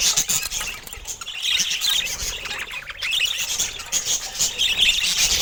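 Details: Mutation-coloured pet budgies in full chatter, a thick, unbroken wash of high twittering, buzzy squawks and quick chirps throughout.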